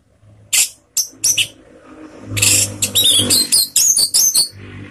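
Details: Orange-headed thrush calls played as a lure to prompt other birds of its kind to sing: scattered sharp, buzzy high notes building into a dense run of harsh chattering bursts over a low engine-like hum.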